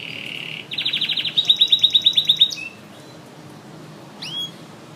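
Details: Canary in intense song, a steady whistled note followed by a fast pulsing trill of about a dozen repeated syllables. After a short silence come two quick upswept chirps.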